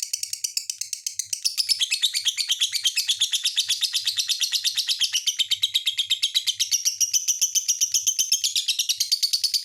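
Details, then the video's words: Lovebird singing in a long, fast, unbroken chatter of high, scratchy chirps and squeaky trills, with notes tumbling over each other several times per second without pause. "SUARA BURUNG LOVE BIRD"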